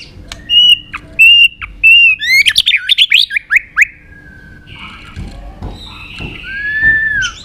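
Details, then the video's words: White-rumped shama giving its fighting song in the Tạch đập style, played to stir other birds into singing. Clear whistled notes near one pitch, then a rapid run of sweeping slurred notes, a pause, and a long falling whistle among softer chips. "Luyện giọng chòe Lửa hót đấu"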